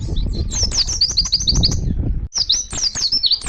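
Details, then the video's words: Oriental white-eye singing actively in the wild, calling to other white-eyes: rapid bursts of high, sharp chirping notes, then a brief pause and a second quick twittering phrase, with rumbling low background noise. "BURUNG PLECI GACOR NGALAS NEMBAK MEMANGGIL PLECI LAIN"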